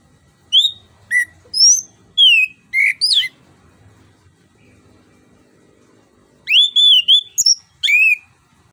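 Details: Orange-headed thrush, or anis kembang, in a lure song used to get a silent bird singing: a string of separate whistled notes rising and falling, a quiet gap with faint low rumble, then a fast burst of twisting whistles.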